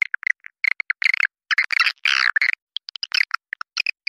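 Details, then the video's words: Swiftlet lure sound: rapid, irregular clicking chirps mixed with short buzzy twitters, quite busy and uneven in rhythm. "suara panggil walet"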